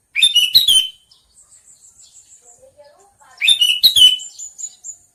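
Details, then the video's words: Sooty-headed bulbul calling twice with quick bubbly chirp clusters about three seconds apart. Between them come soft low notes and a fine high twittering series from a second bird. "Suara burung kutilang panggilan"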